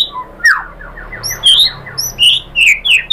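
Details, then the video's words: White-rumped shama lure song for provoking other birds to respond: scattered high whistled notes and thin upslurred flicks separated by short gaps, with a soft run of faint descending notes in between. "MURAI BATU jadi Gampang NYAUT GACOR BONGKAR MATERI ¦ PANCINGAN MURAI ¦ SHAMA BIRD"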